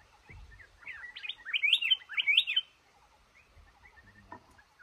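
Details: Male red-whiskered bulbul near a trap in a cashew garden delivers one rapid run of bright, jumpy whistled notes, with faint low thumps before and after.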